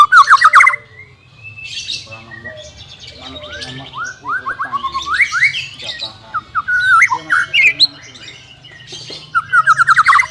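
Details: White-rumped shama singing, meant to coax a bird that will not sing: loud whistled phrase, softer varied twitters and slurred notes in the middle, ending with rapid repeated whistles.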